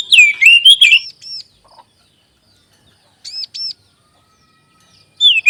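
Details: Oriental magpie-robin song played as a lure to make other magpie-robins sing readily: a tumbling, swooping whistled phrase, a long pause, then two paired arched notes and a fresh whistle at the close.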